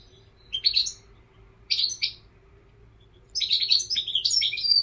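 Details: European goldfinch singing: two short bright twittering bursts, then a continuous run of rapid, tinkling, high chirps and trills for the last second and a half, over a faint steady low hum.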